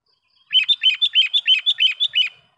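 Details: Sooty-headed bulbul lure call used to attract wild bulbuls: a clear, steady run of about eleven sharp, bright chirping notes, each a quick slurred up-down flick, delivered rapidly over nearly two seconds in a quiet background.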